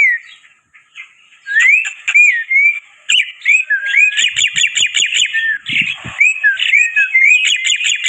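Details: Black-winged myna giving energetic lure song: slurred rising whistles, then a rapid rattling series of repeated high chips and trills, with scattered low clicks and knocks.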